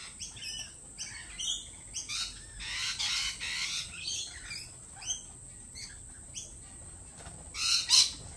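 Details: Busy, uneven chatter of lorikeets at a lorikeet cafe, quick squeaks and raspy screeches tumbling several times a second, ending with a louder shrill burst; a thin high whine runs throughout.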